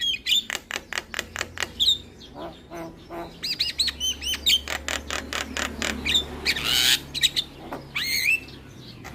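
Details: Lure song of a Javan myna with varied fill, meant to get lazy or silent mynas singing: quick clicking notes, looping whistles, harsh rasps and a loud broadband screech, all closely packed.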